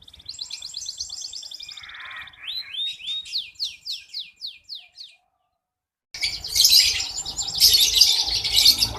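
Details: Local red canary, a keen singer kept to tutor young birds: a quick trill, then a run of loud downward-sweeping notes about two per second, a short gap, then a dense harsh high burst.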